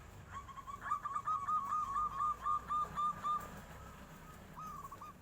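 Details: Local zebra dove singing in the flute-like nyuling style, answering as a tofu seller passes: a run of soft, even cooing notes repeated about four per second, then a short final phrase after a pause, over a low background hum.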